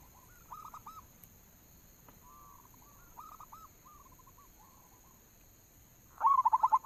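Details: Local zebra dove, used as a lure recording to set other doves singing: soft, rolling, stuttered cooing phrases repeated at a steady mid pitch, ending with one louder, closer phrase, over a faint constant electrical hum.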